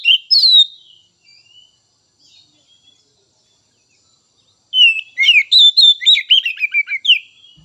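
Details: Song of an Oriental magpie-robin, played to prompt raw and speckled young birds to sing: a short whistled phrase, a quiet pause with soft distant notes, then a lively tumbling sequence of whistles and trills.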